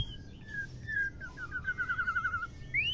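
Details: Female white-rumped shama voice, used to excite male birds into singing: short whistled slurs, then a rapid rolling trill of bright, evenly spaced notes, ending with a quick upward-sweeping whistle.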